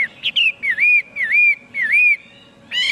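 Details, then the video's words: Chinese hwamei singing loud, clear whistled notes, each a dipping-then-rising slur, repeated about four times in a steady series between brighter opening and closing phrases; a faint steady hum underneath. "tiếng chim hoạ mi hót cực hay"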